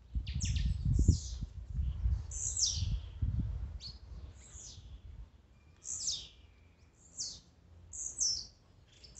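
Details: Blue-black grassquit song from a compilation of songs and 'macheados' meant to excite a kept bird: about eight short, buzzy, high notes sweeping downward, unevenly spaced, over a low rumbling background during the first half.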